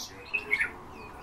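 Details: Eurasian bullfinches: two short, clear whistled notes close together, pitched in the middle of the range and slightly falling, over faint background hiss and distant bird chatter.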